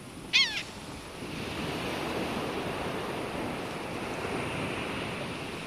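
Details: Galapagos hawk, the only resident raptor of the Galapagos Islands, gives one brief, sharp, downslurred scream near the start, then falls silent against a steady roar of surf and wind.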